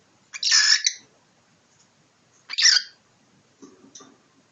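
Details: Pet cockatiel squawking while fighting with its owner: two harsh, broad screeches about two seconds apart, then soft low rustling and faint chirps.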